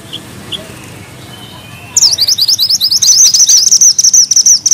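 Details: Mantenan gunung bushchat singing vigorously in a tight rolling style with sharp notes: after two quiet seconds, a dense, very high, rapid twittering trill runs steadily to the end.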